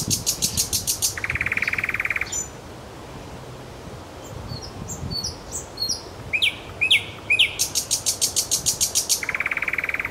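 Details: Kuzminki forest park nightingale delivers loud machine-gun bursts of repeated notes, a buzzy low rattle, scattered thin whistles, then another long rapid pulsed series and a second rattle.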